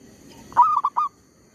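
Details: One short phrase from a zebra dove used as a trapping lure: a sharp rising coo that runs into two quick bubbling notes, with a faint high whine behind it.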